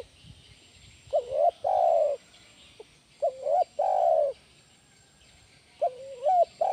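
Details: Spotted dove, a lure bird for training other doves, calling in repeated two-part coos: a short rising hooked note followed by a longer steady coo, three phrases with pauses between, the last cut short.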